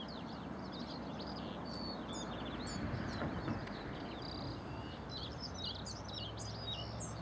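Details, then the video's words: A male European pied flycatcher on migration at Portland, Dorset, sings short, high, sweet phrases of quick up-and-down notes over a steady low rumble of wind and distant traffic. "Singing Pied Flycatcher"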